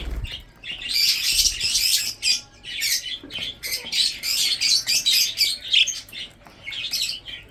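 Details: Breeding budgerigars feed and chirp in a busy chorus: bright, scratchy high-pitched chatter in uneven bursts of roughly two or three a second, nearly continuous throughout.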